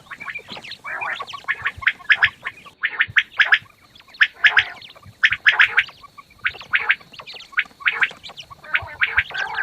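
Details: Fat quails calling in the morning: dense, rapid bursts of harsh, chattering clucks and squawky notes, overlapping from several birds, with short pauses between volleys and no other clear sounds.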